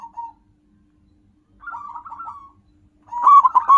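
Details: Zebra dove, a local wild perkutut used as a lure and calling bird, gives soft, rolling coos at a mid pitch, with short trilled bursts separated by brief pauses; the last phrase is louder and fuller.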